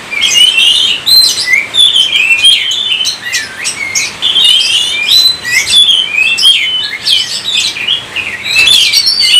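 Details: Oriental magpie-robin singing energetically: dense run of whistled slurs, trills and scratchy notes, nearly unbroken, loud and close.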